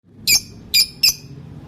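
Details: Lovebird calling sweetly: three sharp, shrill, high-pitched chirps, evenly spaced over about a second, against a quiet low hum.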